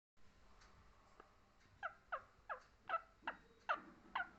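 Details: Parrot vocalizing, described as a talking parrot: short harsh harmonic squawks that start faint, then come about every half second, growing louder toward the end.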